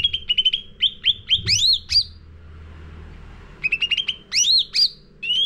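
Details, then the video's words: Sooty-headed bulbul singing a lure song for caged bird training. Lively phrases of quick chirps and loud rising whistled notes open and close the clip, with a quieter gap and soft low rumble between. "Pancingan Cucak Ranting Gacor Isian Full"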